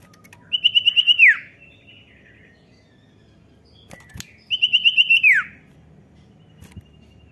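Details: Two bursts of a fast, pulsed common iora trill, each ending in a falling slur, separated by a few seconds of quiet with sharp clicks; a call meant to coax a young bird into singing.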